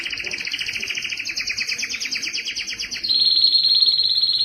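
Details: Canary singing to train fledglings and encourage males to sing louder: a long fast rolling trill slowly dipping in pitch, then switching to a higher smooth pulsed tour.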